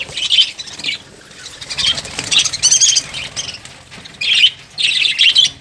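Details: Lovebirds let out harsh, high squawking chirps in dense clusters, with a quiet pause around the middle before a loud renewed burst of chatter.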